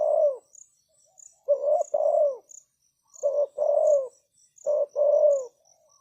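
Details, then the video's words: Caged decoy spotted dove calling to lure wild doves: three phrases, each a short husky coo and then a longer, lower, gently falling coo, with pauses between. A steady high insect chirping runs underneath. "Chim cu gáy chiêu kích mồi tập bổi nhanh nổi hiệu quả"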